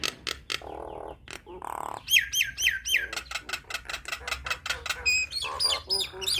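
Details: Nias hill myna song played to train young birds to sing: varied loud whistles, repeated downward-curving notes, sharp clicks and harsh buzzy bursts in quick succession, with a low hum underneath.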